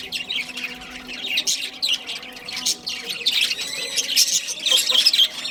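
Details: Soft budgerigar chatter from a breeding pair: a low-level warble of high chirps that builds into sharper repeated ticking notes near the close.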